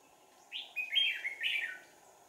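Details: Caged decoy red-whiskered bulbul calling during a Sàng cầu trapping session on 4 April 2019. It sings a quick sequence of three bright, slurred whistled notes that dip and rise, against a soft background hiss.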